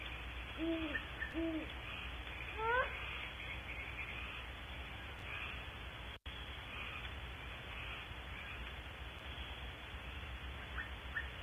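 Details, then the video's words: Great horned owl at Audubon Starr Ranch, California, gives two deep, soft hoots in quick succession, then another bird gives a brief run of rising chirps over steady background hiss. "One minute of Great Horned Owl calls, plus chirper"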